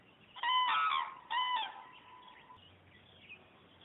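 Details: Cranes flying away: two loud, harmonic trumpeting calls near the start, each about half a second, with a fainter call trailing off and a low steady hum behind.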